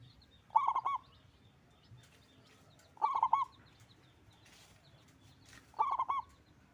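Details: A frequent, big-voiced local zebra dove repeats a short trilled cooing phrase three times, roughly two and a half seconds apart, with a faint rustle between calls.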